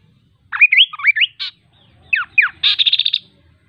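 A kaso kaso bird sings quick, slurred whistles that rise and fall, then a dry, rapid run of about eight repeated high notes. The background is quiet.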